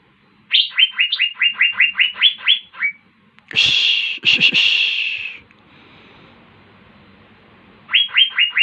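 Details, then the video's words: Asian fairy-bluebird singing actively (gacor): a quick run of about ten sharp, rising whistled notes, then harsh rasping bursts, a quiet pause and the whistled notes again. "KICAUAN BURUNG CUCAK BIRU GACOR"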